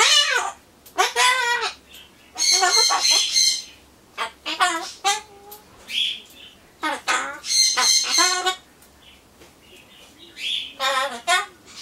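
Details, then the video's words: Pet Solomons corella talking to itself indoors while waiting for pumpkin; a chatter of short harmonic, speech-like syllables and harsh broadband squawks in quick bursts, with pauses between phrases. "ソロモンオウムたろちゃん カボチャを待ってる間のひとり言"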